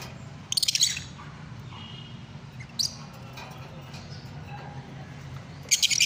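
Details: Lovebirds screech in loud, rapid, rasping bursts at the start and end, with one short shrill note between, above a low background hum.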